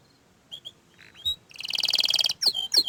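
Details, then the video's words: Orange frost canary: scattered soft whistles, then a rapid buzzy trill lasting nearly a second, followed by two sharp downward-sweeping notes. "Kenari Oren Frost ini Ingin Menunjukan Kicauan nya yang Mantul"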